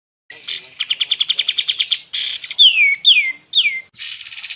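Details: Kapas tembak calling in a varied phrase: a rapid pulsed trill, a buzzy burst, three loud downslurred whistles, then another fast trill beginning.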